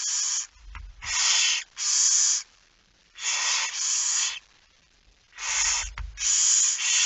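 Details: Barn owl at its nest during a nocturnal feeding on 10 September 2019, 22:45. Dense, noisy hisses are paired into doublets and triplets with brief gaps, and soft low bumps of movement sound underneath.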